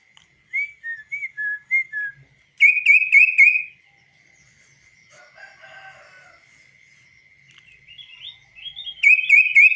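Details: Hand-tamed kaso-kaso bird out of its cage sings a series of short falling slurred whistles, then a burst of buzzy repeated notes, faint chatter in the middle, and a rising run ending in more buzzy notes, over a steady faint tone.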